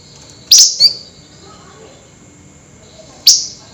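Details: Flameback at night in an excited, chattering mood: a strident high note quickly followed by a second, then a lone sharp note after a pause of over two seconds; quiet hum in the background.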